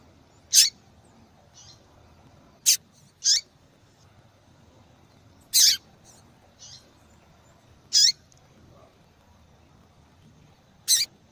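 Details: Female yellow-bellied seedeater calling to warm up a male's song: sharp, very high chips at irregular intervals, roughly seven across eleven seconds, with fainter softer notes between them and a quiet steady background.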